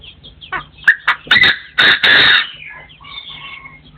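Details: Crowing partridge: loud, raspy bursts repeated rapidly over about two seconds, ending in drawn-out descending whistled notes with some faint chirping afterward.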